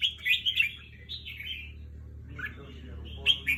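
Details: Competition red-whiskered bulbul singing in the evening, with quick bright warbled notes in short bursts and a pause near the middle. A low steady hum runs beneath.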